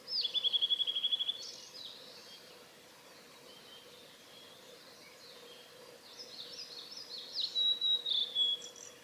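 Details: Singing male blue-and-white flycatcher, recorded 6 May 2015 on the Hayatogawa forest road by Lake Miyagase, Japan: a loud rapid run of about a dozen high repeated notes, a pause, then a ringing whistled phrase with a sharp upslur.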